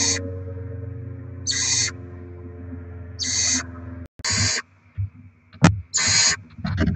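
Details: Barn owls with chicks being fed rodents, 7 February 2024: six harsh hissing screeches, the later ones faster and mixed with knocks and clicks from the nest, over a low background hum.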